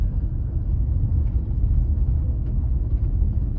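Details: Heavy low-pitched road rumble from a motor vehicle continues throughout, with no calls from any animal.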